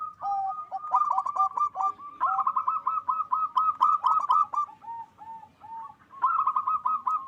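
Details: Local zebra doves in continuous, full-voiced song meant to heighten mating drive: steady streams of rolled, pulsing coo notes, several birds overlapping, with a lower hooked voice under the main trills.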